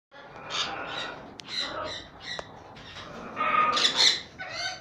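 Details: Pied sun conures imported from Holland, kept captive for sale, giving harsh, buzzy screeching squawks in irregular bursts, with the loudest cluster of rapid shrieks near the end over steady background noise.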